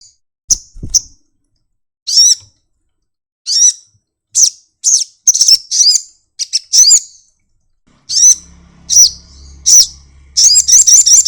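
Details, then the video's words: Sunbird singing in 'nyepion' style while opening its wings: sharp, very high chirps with arched, downslurred notes, scattered at irregular gaps, then a quick run of notes near the end over a faint low hum. "burung kolibri madu bunyi buka sayap nyepion"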